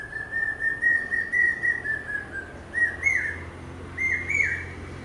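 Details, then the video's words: Common Hawk-Cuckoo (Brain fever bird) giving loud, shrill two-part rising 'pi-peeah' notes after a wavering run of whistles, soft background hum; often sung in pairs, starting low with 'reeti' before 'pi-peeah'. "Common Hawk-Cuckoo calling...pi-peeah...pi-peeah...pi-peeah..."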